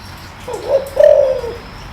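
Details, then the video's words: Spotted dove with a deep voice, recorded for stirring a decoy bird: a short soft note, then a longer low hollow coo that falls slightly at the end. Quiet background. "tiếng chim cu gáy kích bổi mau lên"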